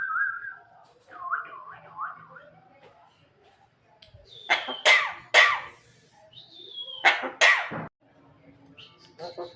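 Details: Female Javan myna giving cough-like calls: soft warbled notes first, then loud, harsh, hacking bursts in pairs, broken by a short falling whistle, with quieter rough notes closing the sequence.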